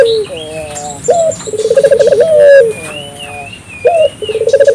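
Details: African collared dove calling vigorously to prompt local doves to join in: a falling coo, an abrupt upswept note, a bubbling trill and a long level coo, repeated, with a thin whistling bird and chirps behind.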